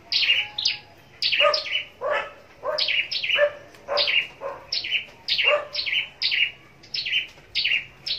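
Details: Kept scarlet-backed flowerpecker singing in contest style at Long Thành: sharp, high, downslurred chirps given in quick pairs, repeated roughly every half second to second over eight seconds, with quiet background.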